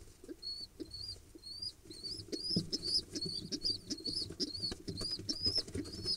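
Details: Second-clutch pigeon nestlings during feeding, 15 October 2021: quiet series of high, thin squeaky notes that speed up into a rapid run, with soft rustling and shuffling underneath.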